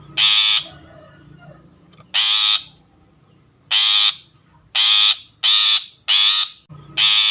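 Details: Long-tailed shrike call used as a lure for trapping birds: harsh, rasping broadband bursts of about half a second each, seven of them at uneven gaps, with little background sound between them.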